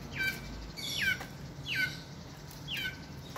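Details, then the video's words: Long-tailed shrike, a kept bird noted for imitating other birds, its repertoire including chicken and gecko sounds; four sharp downward-slurred notes spaced about a second apart, fairly faint over a steady hiss. "Cendet / Pentet isian luber, tahan telinga"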